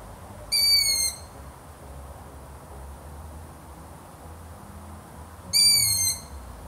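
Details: Pair of shrill, rasping whistled calls from a long-eared owl, each roughly half a second and dropping slightly at the end, separated by about five seconds of low hiss.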